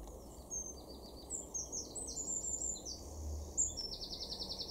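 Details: Eurasian blue tit in a garden in Weener, East Frisia, in far northwestern Germany, May 2024: thin, very high notes and short trills, repeated in loose bursts, over steady low background rumble.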